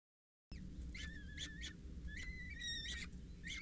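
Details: Peregrine Falcon chicks, four youngsters 6-8 days old at a water tower nest in Scheveningen, begging as a parent feeds them on 8 May; thin, high whistled squeals, some flat and some rising, over a low steady hum.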